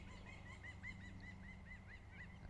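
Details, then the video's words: Pileated woodpecker on a morning lake, heard from a kayak, gives a rapid, even series of about a dozen short, arched mid-pitched notes, roughly five per second, over a steady low rumble of wind and water; possibly two birds. "Do you hear that woodpecker? Or both of them?"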